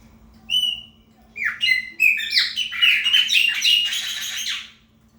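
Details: Territorial song of a chopi blackbird, called preta fumaça in Brazil: a lone whistled note, a pause, then a long, dense outpouring of quick warbles, slurs and chirps lasting over three seconds, with a faint hum beneath.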